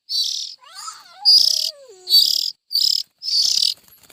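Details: Young bulbuls giving hoarse hissing bursts, joined by a thin whistle that glides downward and then levels off.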